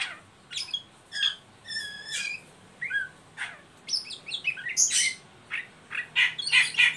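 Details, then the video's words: Oriental magpie-robin giving a ngeriwik call, used as a lure to stimulate young birds to sing: a varied mix of short whistles, buzzy bursts and high chirps in irregular phrases, with quiet background. "Suara burung Kacer ngeriwik pancingan ampuh buat Kacer bahan"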